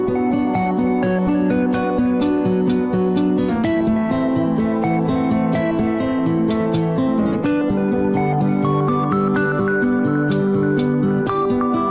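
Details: Steady plucked acoustic guitar music plays throughout, with no animal sounds.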